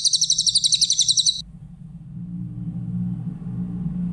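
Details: A grey-headed canary-flycatcher's clear song for tutoring other songbirds: one fast, high, evenly pulsed trill about 1.4 seconds long, then only a steady low hum.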